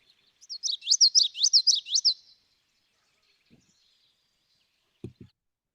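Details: Male Common Yellowthroat song: a quick, high, rolling phrase repeated about five times in two seconds, like wichety-wichety, followed by a couple of faint low thumps.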